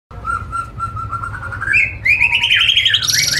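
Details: Nine-month-old jlamprong-type oriental magpie-robin entered in an online bird singing contest: repeated steady whistled notes climb in steps into a loud rising, warbling phrase ending in high sweeps, over a low background hum.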